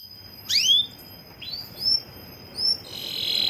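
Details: Female Atlantic canary calling her male: a few clear, high whistled notes that swoop upward then level off, spaced about a second apart, with a thin steady high tone throughout.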